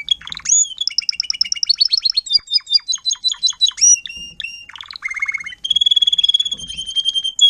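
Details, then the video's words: Timbrado canary tutor teaching youngsters to sing, 2021: a chain of distinct trilled tours, with clipped repeated notes, a low rolling rattle, then steady whistled notes repeated several times a second. "TIMBRADO KANARIEN (gesang)"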